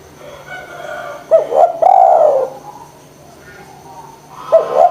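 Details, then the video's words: Spotted dove, lure sound to encourage lazy doves to call: a soft hum, then a clipped coo and a long falling hooted note, a pause, and a further short double coo. "DERKUKU GACOR PANCINGAN JITU ATASI DERKUKU MALES BUNYI"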